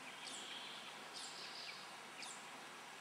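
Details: Hazel grouse at a spring lek on the Yenisei Ridge, Russia; very thin, high descending whistles repeat about once a second, faint within loud steady hiss.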